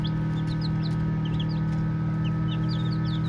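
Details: Baby chicks chirping as they play, scattered short high peeps about two or three per second, fairly spaced and irregular, with a droning low hum in the background.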